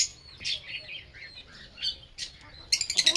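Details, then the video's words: Lovebird singing and chirping: a run of high, squeaky chirps and short warbling notes, ending in a quick burst of harsh, rapidly repeated squawks. "Lovebird Singing & Chirping Sounds"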